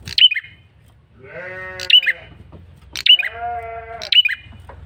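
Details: A male red-headed prinia's high, sharp, downslurred chirps sound four times as a lure call. Long nasal bleating notes, like a goat, fill the gaps and are just as prominent.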